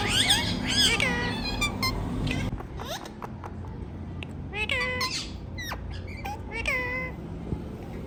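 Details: Rose-ringed parakeet, kept as a pet, chattering: quick nasal word-like syllables and short clicks repeated in bursts, louder at the start, then softer phrases over low room hum.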